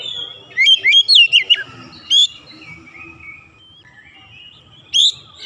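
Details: Oriental magpie-robin stirred up to sing: a quick cluster of sharp, bright whistled notes, then a lone clear whistle, a long quiet stretch with faint background hum, and a final short high phrase.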